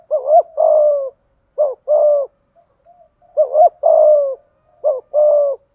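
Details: Spotted dove giving its complete song in the 'giọng thổ', 'thúc gù' style: a wavering double note, then a long sustained coo, then a brief double note and a shorter coo, and the sequence repeats after a quiet gap.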